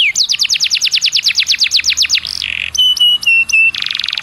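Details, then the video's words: Canary song used as a lure to get other canaries singing actively: a fast series of repeated high, downward-sweeping notes, then a buzzy phrase, short clear whistles and a dense rattling trill. "PANCINGAN KENARI BIAR CEPAT GACOR"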